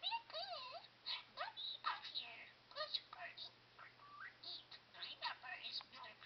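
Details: Pet male budgerigar, a talking parakeet, mimicking human speech indoors: rapid scratchy chattering phrases with swooping whistled inflections, bursts packed closely across the whole stretch, no other voices clear.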